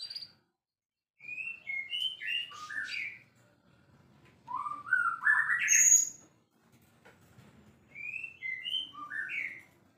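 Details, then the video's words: White-rumped shama described as a champion, singing busily: three separate phrases of varied whistles and chattering notes, some rising and some falling, with a shrill high note, each phrase followed by a brief quiet gap. "murai gacor juara"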